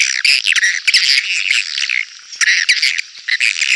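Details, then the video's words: Swiftlet lure call, clear and meant to draw swiftlets into a crowded swiftlet house: dense bursts of high chattering, twittering chirps with short pauses, sounding bright and harsh throughout. "Suara panggil burung walet jernih bisa bersaing di rbw padat"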